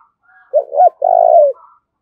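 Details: Decoy spotted dove cooing to urge another bird to fight: a loud wavering coo with a rising end, then a long, smooth, falling coo, with faint soft notes before and after.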